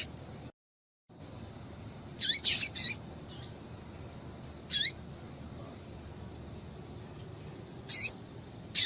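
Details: A female double-collared seedeater calls to warm up a male: a quick burst of three high, descending chips, then single chips spaced several seconds apart, with a short silent gap near the start and a soft hiss throughout.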